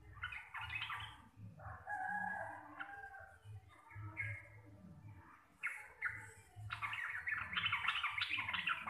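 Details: A local Javanese sooty-headed bulbul, its song described as bassy, clear and loud and used as a master song for training birds, pours out bubbly, liquid chattering phrases, about three notes a second, over a faint low hum.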